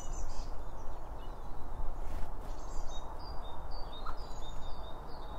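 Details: Birds feeding and chirping at a bird feeder, captured binaurally with two microphones beside the feed: short high chirps repeat in the second half over a steady low rumble of background noise.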